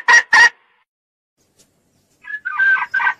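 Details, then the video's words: Red junglefowl sound used to trap male birds: two loud abrupt notes, a long silence, then a short crowing phrase in choppy bursts. "tiếng gà rừng dung để bây chim trống"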